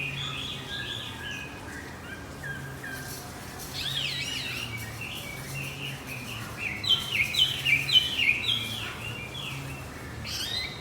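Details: Lure song of the Javan white-eye, meant to prompt a silent male back into song: scattered high warbled phrases, then a louder burst of rapid downslurred chirps in quick series, over steady low background hum.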